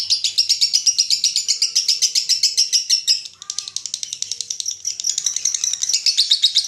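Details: Long lovebird ngekek, 'konslet' type, meant to trigger singing in other lovebirds; shrill rapid chatter that dips briefly around the middle with a short lower squeak, then surges back fast and high.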